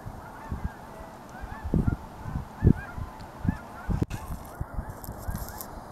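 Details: Scattered honks from geese on a reservoir in Altus, Oklahoma, individual nasal calls standing out every second or so above a soft continuous flock murmur.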